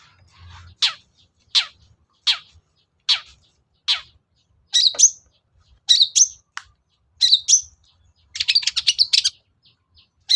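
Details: Long-tailed shrike (cendet) lure song, played to provoke a reluctant caged shrike into singing: a series of loud downward-sweeping notes roughly every 0.75 seconds, then sharp high chirps and a rapid chattering burst.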